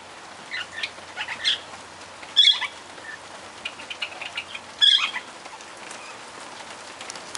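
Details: Barred parakeets giving a few sharp, high chirps with short gaps between them, two louder calls standing out, mixed with fluttering wingbeats over a faint steady hiss.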